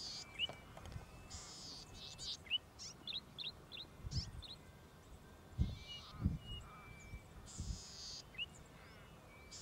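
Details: A Golden-headed Cisticola in Victoria, Australia, June or July 2013, gives harsh buzzy bursts about once a second, mixed with thin high rising notes, over low rumbling background noise.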